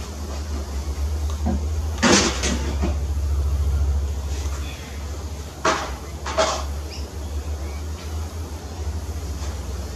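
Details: A low engine hum runs throughout, broken by a few sharp knocks and bursts of noise, with no animal calls.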